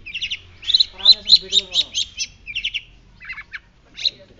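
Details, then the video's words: White-breasted shrike, pentet laut dada putih, in energetic song used to tutor other birds. Rapid rattling series of buzzy chirps, then a pause and a few scattered sharp notes. "Pentet laut dada putih gacor"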